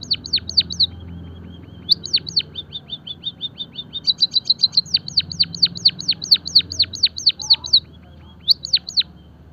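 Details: Java sparrow song on a training and stimulation track: repeated high falling whistles and fast clicking runs continue for most of the stretch, about two notes per second, ending with a brief final group of sweeps.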